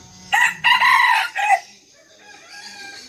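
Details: A diligent mini decoy red junglefowl from Vietnam that crows at daybreak gives one loud crow of three strident segments, the middle one longest. Faint high insect buzzing continues underneath.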